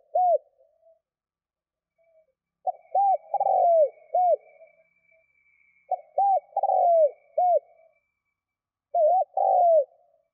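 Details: Spotted dove calling to attract wild birds, four coo phrases in ten seconds: arched notes around a longer falling, rough coo, with a faint steady high tone running through the first half.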